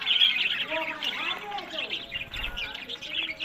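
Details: Captive budgerigars, Larkana, Sindh, kept for breeding, give a chattering warble with curved, bending whistled notes and harsh squeaks, several birds calling together.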